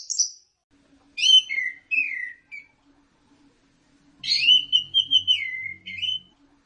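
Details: Teler-style song of an Orange-headed thrush: two bursts of sweet whistled warbling separated by a pause, each with sliding, descending notes and quick twitters, over a faint low hum.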